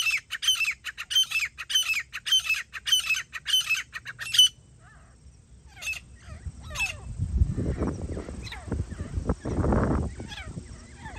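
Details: Grey francolin, jungli teetar, recorded while hunting; a run of loud repeated ringing notes about two per second for four seconds, then a few scattered notes amid rustling and handling noise.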